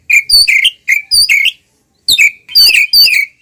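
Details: Oriental magpie-robin giving a ngeplong-style fighting song meant to provoke rival birds, delivered as clear rising and falling whistled phrases in short bursts, with a brief silent gap midway.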